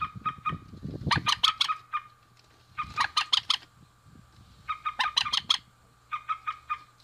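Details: Rail pair, male and female, calling in repeated bouts of grating, stuttering notes roughly every two seconds. Low rustling noise is heard early on, with a constant faint hum behind.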